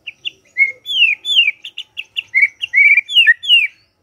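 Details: Morning song of a white-rumped shama, played to coax a silent bird into singing: a lively run of clear, high whistled notes, some slurred downward, others short and chipped, delivered in a quick, varied sequence.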